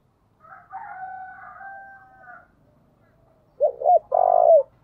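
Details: Calling decoy spotted dove: a long steady two-pitched whistled tone first, then after a pause two short looping coos and a longer drawn-out coo.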